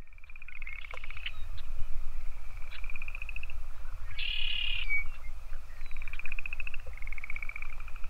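Red-winged blackbird: repeated high, buzzy trills, with a harsher burst midway, over steady low wind-like rumble.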